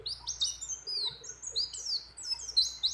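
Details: Female white-eye, in breeding condition, calling a male: quick, high, squeaky slurs and twitters in uneven bursts, ending in sharper whistled notes, with other birds' phrases mixed in.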